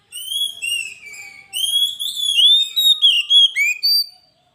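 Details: Kacer, the Oriental magpie-robin, in energetic gacor song for a master and lure track: sweet whistled phrases gliding down and up, varied fast notes in rapid succession, ending cleanly.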